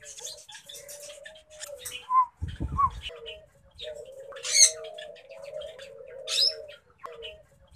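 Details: Hand-raised male Asian koel, rescued as a chick in June 2020, giving long, soft, low coos held at a steady pitch, broken by a few sharp squawky bursts and a brief thump.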